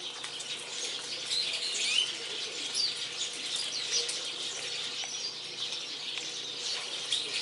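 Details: Japanese waxwings flocking on a dead persimmon tree in a garden: a constant shimmer of thin, high trilled calls from many birds overlapping, with a few brief whistled notes and soft wing flutters.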